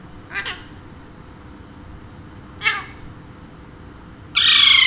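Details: Alexandrine parakeet kept as a pet with a second bird, said to talk in Urdu and Hindi. Two faint, brief falling calls are followed by one sudden loud harsh screech at the end.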